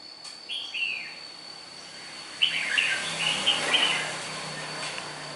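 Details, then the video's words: Red-whiskered bulbul, a natural untrained bird from Nghệ An, Vietnam, said to have a good voice, gives short warbled phrases of bright, slurred whistles in the middle of the clip over steady background hiss. "chào mào mộc. gốc nghệ an. cao cầu giọng tốt."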